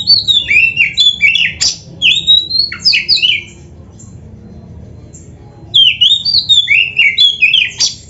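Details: Oriental magpie-robin kept as a cage bird, training song of rapid slurred whistles and sharp squawking downward notes in quick succession, a pause of near silence midway, then another burst of varied chattering phrases.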